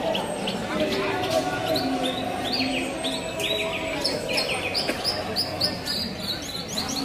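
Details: Javan bush lark singing at a songbird contest: bright, rapid chirped and trilled phrases, short notes repeated in quick runs, over a steady hum of crowd noise and other birds.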